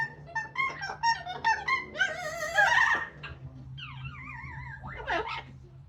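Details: A pet yellow-naped amazon, outside and extra noisy while drying off after a shower on a sunny day, gives nasal chattering notes, then a rich warbling phrase and wavering whistles, over a steady low hum.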